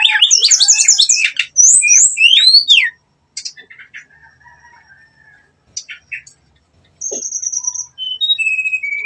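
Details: Brown-chested jungle flycatcher lure song meant to provoke fighting, in a nretet, ngeplong, nembak style: dense bursts of high whistled, rapidly sweeping notes, a pause with soft faint phrases, then long level whistles and falling slurred notes.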